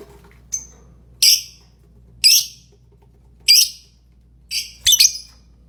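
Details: Lovebird giving sharp, shrill single chirps spaced roughly a second apart, ending in a quick double chirp, with quiet pauses between calls.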